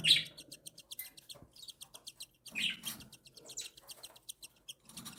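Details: Cockatiel mother feeding her three tiny chicks, aged one and seven days, who beg with quick rhythmic buzzy ticking, broken by louder squeaky chirps at the start and near three seconds.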